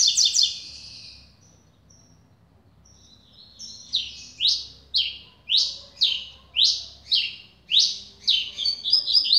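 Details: Newly acquired caged double-collared seedeater singing a steady run of about ten loud downslurred whistled notes, roughly two per second, accelerating into a quick twitter at the end.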